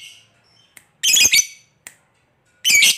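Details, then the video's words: Lovebird sounding harsh shrill squawks meant to draw a reply from other lovebirds; two loud bursts about one and a half seconds apart, with soft clicks between them. "Suara Lovebird Memanggil Kawan, KOEK NGETIK Lanjut Ngekek Bikin Lovebird Nyaut Bersautan"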